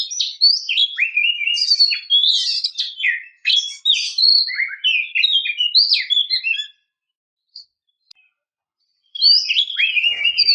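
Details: Female Oriental magpie-robin calling so that males start singing: an extended, continuous medley of rapid varied whistles, slurs and harsh notes for nearly seven seconds, a quiet spell with two faint ticks, then another energetic whistled phrase.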